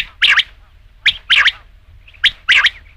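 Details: Rain quail calling: loud, scratchy two-part notes, a short note followed by a fuller one, repeated about every second.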